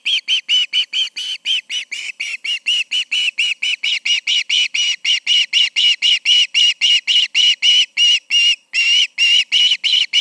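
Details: Two ospreys at the Charlo nest on an August 2019 evening near 7 pm; one bird gives an unbroken stream of shrill whistled chirps, about four per second, for the whole ten seconds.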